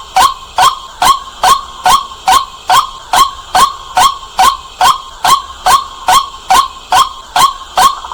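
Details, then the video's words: Loud nighttime calling of a white-breasted waterhen: rhythmic, harsh, bugle-like notes at a steady pace of about two per second. The series runs evenly throughout, with little other sound. "เสียงนกกวักกลางคืน เสียงชัดแรงมาก"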